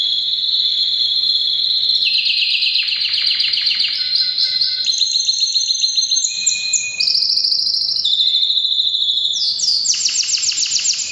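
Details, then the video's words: Canary singing strongly in breeding season, alternating high sustained trills with faster stuttering phrases and sharp upward sweeps, all in an unbroken stream. "Canary bird most powerful singing during breeding season"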